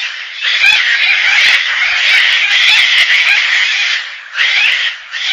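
Gang-gang cockatoo giving harsh, grating, creaky screeches, one drawn out for about four seconds, then a brief pause before a second rasping call begins.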